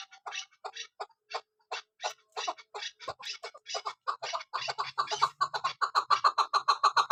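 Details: Female chukar partridge (Kabuli chakor) kept for hunting, giving spaced clucking notes that grow quicker and louder, ending in a rapid, regular chatter; a faint low hum appears midway.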